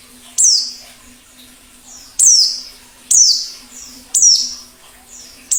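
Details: White-eye song, plengi ngalas, for luring wild birds: single shrill notes falling steeply in pitch, repeated about once a second with quiet gaps and soft echoes, a low hum throughout.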